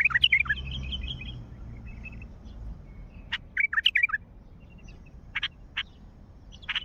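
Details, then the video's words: Calls of a wild Mandali bulbul: an opening burst of bubbly warbled notes, a quieter chattering trail, another lively gurgling phrase midway, then scattered single sharp notes. Light background hum. "ندهات بلبل وحشي مندلاوي"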